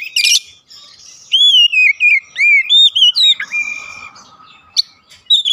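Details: Oriental magpie-robin in 'ngeplong gacor' song, meant to provoke answers from birds kept at home: a brief high buzzy burst, a pause, then a run of looping clear whistles and a downward slur.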